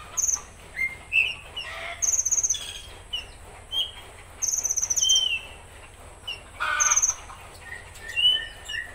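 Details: Konin in rough 'tembakan kasar' song: high rattling bursts alternating with clear slurred whistles and chips. A busy, broken sequence with short pauses between phrases.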